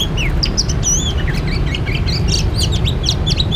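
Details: Oriental magpie-robin recorded during bird trapping: a dense run of varied whistled notes, slurred upward and downward sweeps and quick chips, delivered almost continuously over a steady low rumble.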